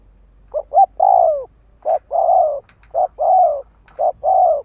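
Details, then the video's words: Decoy spotted dove cooing to attract wild doves, with a stuttered double note then a long falling coo, followed by three regular short-long phrases. "Tiếng chim cu mồi gù gáy/ chim cu gáy kích bổi nhanh nổi"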